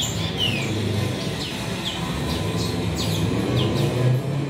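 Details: White-rumped seedeater (grey singing finch, Crithagra leucopygius) chicks in a captive breeding bay give thin, high, down-slurred cheeps, repeated about every half second over a steady low hum.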